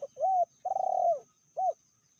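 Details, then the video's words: Indonesian spotted dove, a fierce-sounding female with a medium voice, cooing clearly: a short rising note, a long trembling falling coo, then one short coo, with a steady background hum. "Betinanya lebih ganas dari jantannya/bl suara sedang"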